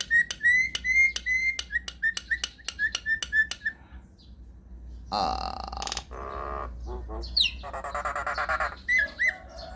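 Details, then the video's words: Nias hill myna singing in long rolling phrases: a string of about a dozen short, clear whistled notes roughly twice a second, then hoarse, burping rasps and a buzzy, noisy stretch. "JALAK NIAS GACOR NGEROLL PANJANG"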